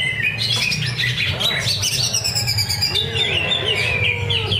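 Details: Caged greater green leafbird competing at a Thursday practice singing contest in Cikunir. Bright whistled phrases and chattering notes, followed by a long sliding whistle and lower looping notes, over a constant low rumble.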